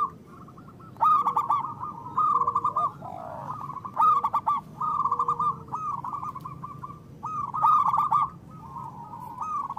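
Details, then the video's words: Local zebra doves in full, loud voice, used as a lure for trapping and to prompt silent birds. Stuttering, rolling mid-pitched coo phrases come in bursts every second or two, with soft, lower, arched notes between them. "Perkutut lokal gacor Suara Besar Pancingan Untuk Pikat dan Malas Bunyi"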